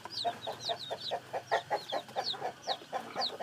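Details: Newly hatched chicken chicks give bright, downslurred peeps at irregular intervals, mixed with a steady run of low, rounded clucks roughly three per second.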